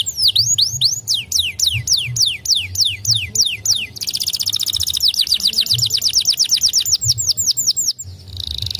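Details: Several white canaries singing: crisp descending whistled notes in quick succession, followed by a dense fast rolling tour and a short buzzy ending, over a low hum.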